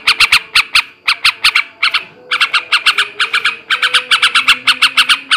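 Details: Male sooty-headed bulbul in ngebrem ngekek garuda song style, for stimulating breeding: rapid, intense runs of harsh buzzy chattering notes in grouped bursts, with a faint low tone underneath.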